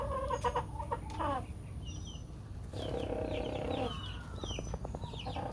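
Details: Contented rooster giving a happy snore. A few short clucky notes open the recording, then a low buzzing drone swells for about a second midway. Thin chirps from other birds sound throughout over low rumble.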